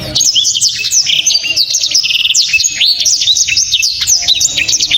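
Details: Blacktrod, a songbird prized by song-bird keepers for a loud, dense, sharp song, delivering a continuous rapid stream of high piercing whistles, chips and slurred trills with no pauses.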